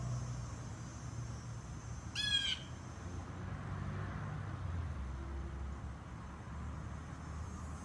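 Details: Single harsh, buzzy jay call from a Blue jay amid low rumbling background noise, recorded at a distance on a modest device.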